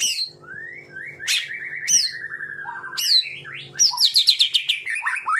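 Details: Fierce training song of a real white-rumped shama, 'tembakan' style: long sweeping whistles slurring downward, sharp high upslurred notes, then a rapid stuttering run of bright notes, with a low steady hum beneath.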